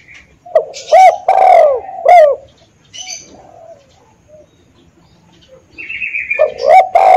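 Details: Decoy spotted dove coos huskily in short notes and a long falling one, then falls quiet. It resumes near the end, and thin high chirps from small birds are heard between the phrases.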